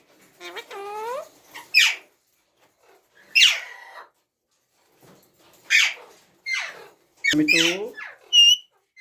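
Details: Ringneck parrot mixing sharp, high squawks with tonal, speech-like warbled phrases, separated by short silent gaps.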